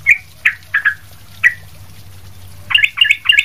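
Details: Sooty-headed bulbul calling energetically, used for training other birds: short bright chirping notes, first spaced singly, then a quick cluster of bubbly doubled notes near the end, over a steady low hum.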